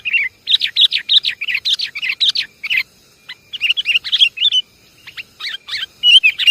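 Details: Javanese sooty-headed bulbul luring calls: quick clusters of chirpy, bubbly notes in irregular bursts separated by short quiet gaps, a soft sustained whistle among them.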